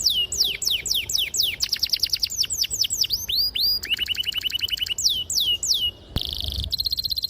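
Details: Canary performing a long lure song meant to get young or silent canaries singing: repeated falling whistled swoops, a fast even roll, curling notes, then brisk high chips after a brief pause.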